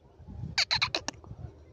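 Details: Talking parrot uttering five quick, rasping syllables in a tight cluster, fairly soft against a low background hum, within a string of mimicked 'me too' phrases.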